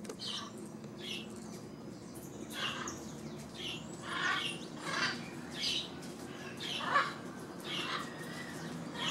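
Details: A yellow-crowned amazon (Amazona ochrocephala) interacting with a blue-and-yellow macaw in Caracas, Venezuela, gives harsh, raspy squawks in short bursts, roughly one every second, over a low steady background hum.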